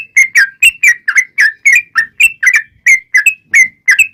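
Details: Yellow-vented bulbul singing vigorously, with a long rapid-fire song meant to make other bulbuls answer. Slurred, gurgling whistles, often paired, repeat briskly at about four notes a second.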